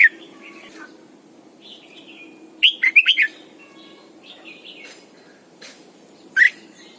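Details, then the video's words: Decoy Red-whiskered bulbul kept for training, giving morning song in a double-note wild style; a bright burst of four rapid whistled notes mid-clip, then a single sharp note later, over faint background chirping. "luyện chào mào mồi hót sáng cực hay, ép chào mào hót âm kép già rừng hay tuyệt!"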